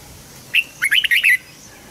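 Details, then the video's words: Red-whiskered bulbul training song for young birds: a single brief phrase opening with one clear note, then a fast run of three or four slurred whistled notes. "Chào mào luyện giọng giúp má trắng học giọng hiệu quả, kích chim bổi nhanh hót và căng lửa."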